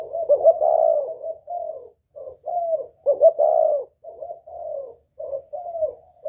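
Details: Lure call of a whistle-voiced spotted dove of the northern style: low mellow coos almost without pause, mixing brief single hoots with stuttered double notes and two longer rolling coos.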